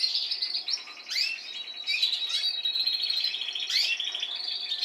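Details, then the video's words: Singing Spanish timbrado canary from a line of last-season birds, with young ones learning to sing. It gives a continuous bubbling roll broken by quick upward-sweeping chirps and metallic notes. "Canarios Timbrados cantando"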